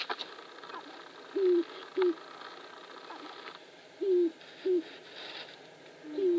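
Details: Dancing sharp-tailed grouse at Wainwright, Alberta, 2015: five low, hollow, slightly falling coos arrive in loose pairs over six seconds, some longer and some clipped short, over a steady background hiss.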